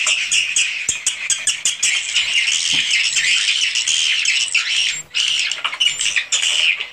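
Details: Raw swiftlet house recording of massed swiftlets: loud, sharp, scratchy chirps and clicks packed tightly together, with one short drop in the din before the chatter resumes.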